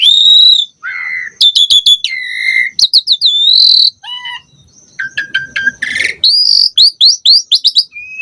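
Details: Asian pied starling in animated, varied song: steady whistles alternate with quick chirp series, falling slurs, a low gap, a raspy burst and a closing string of rapid bright chirps.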